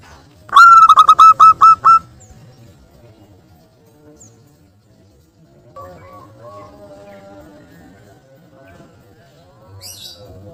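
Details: Local wild-type zebra dove used as a lure to provoke rivals into calling; a short burst of loud whistled coo notes in quick succession, then long quiet with faint distant whistles and low rumble.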